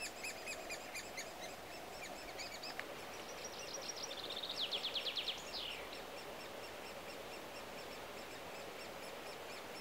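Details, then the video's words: A great spotted woodpecker feeding its young gives thin, high notes that repeat steadily, then swell into a fast, buzzy chattering burst for about two seconds, over a faint outdoor hiss. "dzięcioł duży karmienie młodych"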